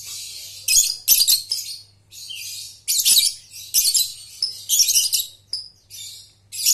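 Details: Lovebird chatter used to coax young balibu birds into trilling: continuous shrill, harsh bursts following one another with brief pauses, all very high-pitched, over a faint low hum.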